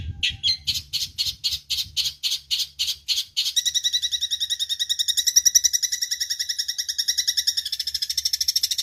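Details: Eurasian tree sparrow song used as training audio for songbirds: about ten sharp, evenly spaced high chirps, then a fast, continuous rattling trill of bright harmonic notes that carries through to the end.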